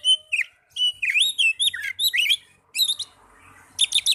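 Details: Young Oriental magpie-robin singing varied whistled phrases with twisting slurs, pausing briefly before a high, dense twittering flourish at the end; faint low hum beneath.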